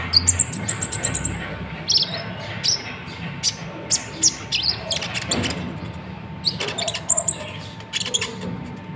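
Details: Konin, a Natuna Van Hasselt's sunbird, giving its signature song for training other songbirds. It opens with a rapid run of sharp, high tinkling notes, then scattered thin chirps and short trills, over background hiss and a low steady tone.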